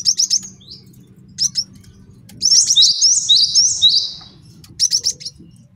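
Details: Master song for training and luring birds from a male cinereous tit: short clusters of high clipped notes frame a rolling run of quick downslurred whistles in the middle.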